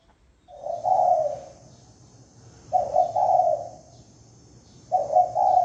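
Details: Spotted dove lure call: a soft stuttering double coo leading into a longer mellow coo, repeated about every two seconds, over a low steady hum and faint high-pitched ringing.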